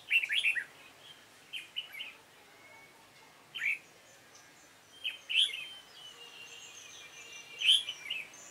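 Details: Song of a red-whiskered bulbul, dark-bibbed form, heard during a trapping session with a decoy bird, 28 February 2017. Rich, bubbling phrases alternate with pauses, and there are thin background whistles.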